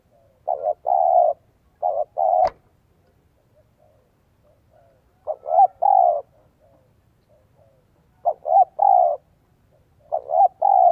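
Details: A spotted dove coos in the 'giọng son 1 cốt lỡ' manner to stir up wild doves. Four phrases of short notes ending in a longer mellow coo are spaced by pauses, with a single sharp click early on.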